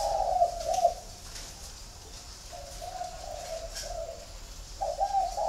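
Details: Captive spotted doves from a flock in Ba Vì, Hanoi, Vietnam. A throaty coo phrase opens the passage, then quieter drawn-out coos follow, and a louder phrase returns at the end, against a soft hiss.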